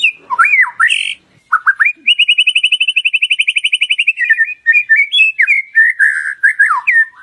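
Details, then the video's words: Lure song of the white-rumped shama, meant to prompt other birds to sing openly: loud whistled slurs, then a rapid rattling run of about twenty-five repeated notes lasting two seconds, followed by varied warbled and whistled phrases. "Pancingan Murai Batu Agar Bunyi Ngeplong"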